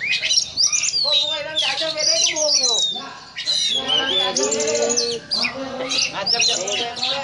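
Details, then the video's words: Oriental magpie-robin (kacer) in the 'ngobra' snake-like style: long descending whistled slurs, harsh buzzy bars and trills, continuous and loud, with rough lower-pitched notes beneath. "Video Kacer Ngobra Seperti Ular"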